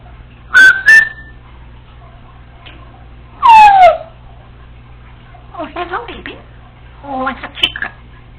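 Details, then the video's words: Congo African Grey Parrot, a female pet alone in the house, repeating learned sounds: two bright whistles, a loud falling whistled note, then murmured speech-like phrases. "African Grey Parrot recorded talking to herself when no one was home!"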